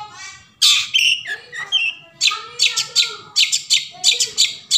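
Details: Forest long-tailed shrike song used to prompt quiet shrikes to sing: a rapid, varied run of harsh chatters, buzzy notes and short whistles, fast and irregular, with a faint rasping note at the start.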